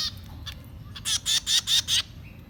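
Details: Baby birds begging while being fed: five harsh, hissing rasps in quick succession near the end, each about a fifth of a second long, with a faint soft chirp before them.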